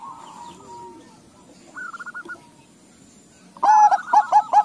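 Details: A crossbred Bangkok-local zebra dove among answering doves. Faint rolling trills and a short trilled phrase come first, then loud clipped cooing notes repeated quickly near the end.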